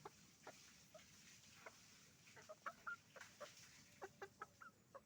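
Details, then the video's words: Roosters and hens on a chicken farm making noise: short, sharp clucks and squawks scattered irregularly through the flock, some tonal and slightly rising, over a steady background hiss. "the sound of a chicken farm, roosters and hens making noise"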